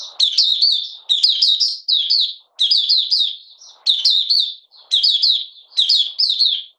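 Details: Malaysian Oriental white-eye, in minor moult and not yet in full form, beginning to sing, recorded 31 July 2023: rapid high twittering phrases of slurred, warbling notes, about six bursts each under a second long, separated by short pauses.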